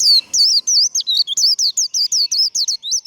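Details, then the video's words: Close, loud líu contest song from a warbling white-eye: an unbroken three-second chain of fast, swooping high whistles, roughly six notes per second, with a clean quiet background. "Vành khuyên líu đấu. Khuyên líu kích bổi. Kích lửa vành khuyên líu đấu"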